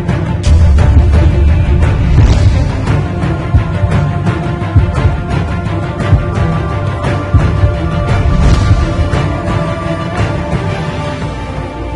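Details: Dark, heavy theme music with deep bass and a steady pulse fills the whole passage, and no animal voice comes through.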